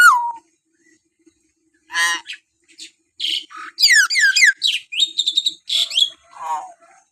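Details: Common hill myna giving a varied run of loud harsh squawks, rasping buzzy notes and sharp rising and falling whistles, opening with a descending whistle, then a dense burst of mixed notes in the second half.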